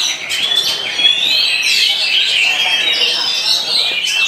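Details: Oriental magpie-robin of the petruk variety, first-place winner at a bird singing contest in Pemangkat, Indonesia; a rapid, varied song of shrill whistles and quick trills runs without pause, overlapping other singing birds and faint voices.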